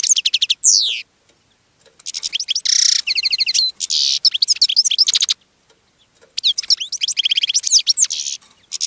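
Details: European goldfinch in a cage, singing and drawing in other goldfinches. Fast liquid twittering with a downward-sweeping whistle, harsh buzzy notes mixed in, and nearly continuous phrases broken by brief gaps.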